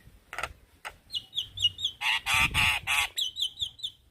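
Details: Male Javan myna calling young companions: two harsh bursts, a string of falling whistled notes, loud nasal grating squawks, then more repeated whistled notes.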